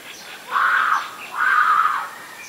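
Asian barred owlet giving two drawn-out, slightly hoarse mid-pitched notes about a second apart, each swelling and fading, over faint background hiss.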